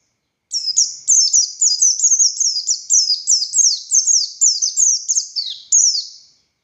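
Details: Buxtoni Oriental white-eye in vigorous ngalas song with tembakan notes: after brief silence, a six-second stream of shrill, thin, descending whistles follows rapidly one after another, ending with a single high note.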